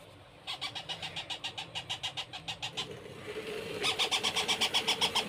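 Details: Baby parrot being hand-fed, giving quiet, harsh squawks in a steady rapid series, about four a second. A pause follows, then a louder burst of the same squawks. Faint low rumble throughout.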